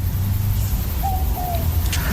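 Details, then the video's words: Southern Boobook calling in the Dandenong Ranges east of Melbourne, Australia, about half an hour after sunset on a still evening; a two-note hoot, 'boo-book', the second note slightly lower and falling, over low steady background rumble. "It's also known as a mopoke because it sort of says mopoke, mopoke,"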